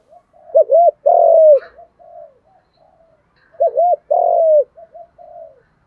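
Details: Male and female spotted doves calling to excite birds for training: two loud low phrases, each a hooked double coo then a long falling coo, separated by soft low murmuring coos.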